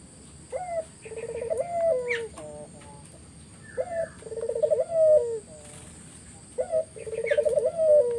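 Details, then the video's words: Spotted dove song used to lure other doves into answering: three phrases, each a short rising note, a trembling pulsed coo and a falling end note, separated by brief pauses, with faint clicks and hiss. "Burung puter mana yang ga ikut nyaut kalo dengar GACORAN puter ini"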